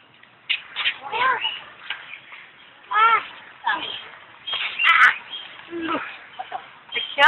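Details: A captive Malabar (Indian) pied hornbill at Alipore Zoo, Kolkata, India, gives harsh, cackling, nasal squawks with a harmonic ring in uneven bursts about every second, with softer chatter between louder calls.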